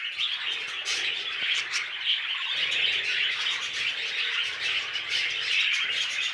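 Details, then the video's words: Budgerigars chirping while mating: rapid bright tweets woven into a continuous scratchy warble, with a steady, unbroken rhythm. "Budgies Mating"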